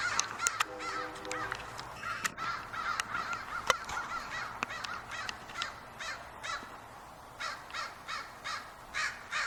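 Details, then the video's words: Spring-evening crows at a large walnut tree in Portland, cawing in a busy chorus with sharp knocks and clicks, followed by a clear series of evenly spaced harsh caws near the end. "Crows Caw"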